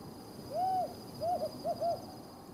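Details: Desert tawny owl (Strix hadorami), one of a calling pair in a remote part of the Judean Desert, Israel: one long, soft, level hoot, then two quick pairs of shorter hoots, all at a mid pitch, over faint background hiss.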